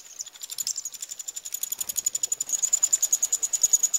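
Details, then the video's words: Young Eurasian wrynecks begging as they are fed, Pribytki, Russia, 2 July 2018, produce a high, rhythmic, insect-like rasping pulse, around three to four per second, becoming more regular toward the end. "Eurasian wryneck (Jynx torquilla) feeding chicks"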